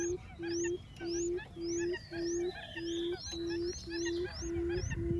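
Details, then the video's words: A quail decoy call meant to bring quails in: low, flat hooting notes repeated steadily, almost two per second. Rising high whistles and scattered twittering from other birds sound over it. "Tiếng Chim Cút Um /Tiếng Cút Mồi Gọi"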